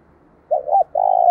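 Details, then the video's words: Spotted dove coo for stimulating decoy doves: a wavering low note with a brief dip, then a long, steady, burry coo that is cut off abruptly. "Tiếng chim cu gáy kích bổi nhanh nổi và tập mồi hiệu quả"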